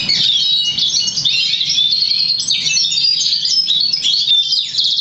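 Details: Crested 50% variegated Black Siskin x Russian Canary mule from August 2009, trained to European Goldfinch notes, pouring out loud rapid high twitters, stuttered trills and clear whistled slurs, ending with a dropping note.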